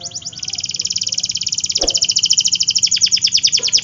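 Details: Canary singing a long, very fast, buzzy high trill that holds steady for nearly four seconds and then breaks into downward sweeps; a short low thump is heard partway through.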